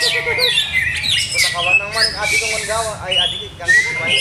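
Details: Caged greater green leafbird during continued conditioning tests delivers a busy, chattering warble with rapid wavering notes and bright rising whistles, the phrases tumbling one after another.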